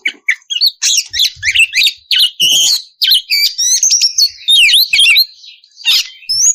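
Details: Oriental magpie-robin singing in the open, full ngeplong style, used as a lure to make other magpie-robins answer; a rapid run of bright whistles, sharp chirps and rising slurred notes in short loud bursts with brief pauses.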